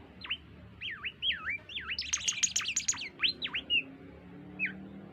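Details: Oriental white-eye singing melodiously: several swooping down-up whistled notes, then a dense burst of rapid high twittering, followed by more clear swooping notes and a last isolated chirp.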